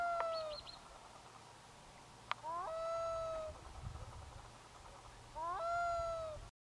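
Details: Black-throated loon crying over a bay as grey mist rolls in from the sea: long, drawn-out mournful wails, each starting with a short rising slur, then held steady with rich overtones. Three wails are separated by pauses over quiet background hiss.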